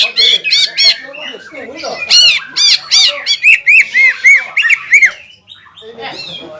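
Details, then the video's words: Greater green leafbird in vigorous song meant to stir a rival bird, dense squawky chattering notes followed by a series of arched whistled phrases repeated several times per second. "CUCAK IJO GACOR INI MAMPU MEMANCING EMOSI CUCAK IJO LAWAN"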